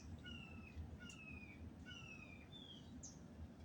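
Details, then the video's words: In an old Florida tree canopy at sunrise, a bird gives clear, high, gently descending whistled notes, four in quick succession roughly every half second, with a short sharp chip near the end, over persistent low rumbling noise. "sunrise bird calls old florida tree canopy"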